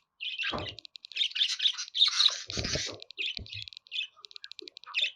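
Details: Budgerigar chattering steadily: dense, buzzy, scratchy warbling with quick chirps and clicks that run almost without pause, plus a few low dull knocks in the background.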